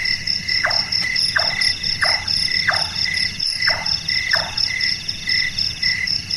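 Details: Large-tailed nightjar, known locally as burung tukang or burung malas, calling at night: six hollow, knocking chonk notes, each dropping sharply in pitch, spaced under a second apart, said to sound like a carpenter working, over a steady high insect chorus.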